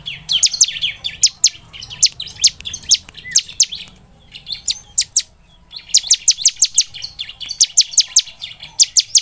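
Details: Ciblek semi, the bar-winged prinia, singing as a lure to make birds sing: clusters of sharp, high descending notes, then a quiet pause, then renewed rapid bursts of similar chips.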